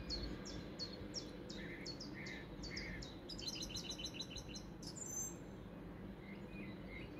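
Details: Song thrush sings in Weston village on 30 April 2023: loud, high notes in phrases, each repeated several times, then a fast, sharp rattle and a clear whistle, over a low rumble.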